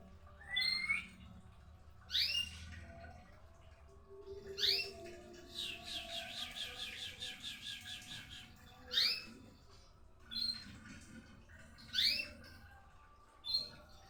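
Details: White-rumped shama singing varied phrases: bright rising whistles and sharp high notes, broken by a fast buzzy rattling run of about three seconds, with phrases repeating at irregular intervals over a low background hum.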